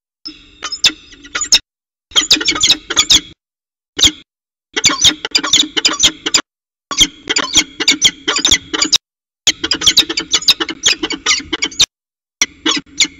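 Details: Northern goshawk pair at a water tower nest, mating on the nest edge, 5 February 2018: bursts of harsh, rapid repeated notes with short silent breaks, over a steady low hum.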